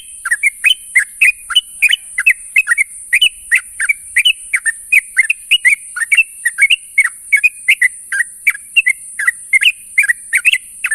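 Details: Sooty-headed bulbul giving morning calls to companions: an unbroken eleven-second stream of short, lively, slightly squeaky chirps, roughly three to four each second, against a steady high background hiss.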